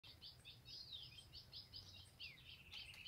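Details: An ultramarine grosbeak of the Pé e Bico type from the caatinga of Paraíba/Pernambuco, Brazil, sings a rich, fast warble of sweet whistled notes and downward slurs over a steady low hum, 4 April 2022.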